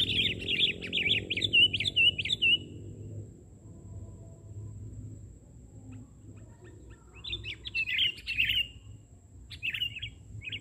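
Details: A highly vocal sooty-headed bulbul caught on record during bird trapping in Indonesia opens with a fast, rhythmic series of bright chirps, falls silent, then resumes with a few looser, scattered notes.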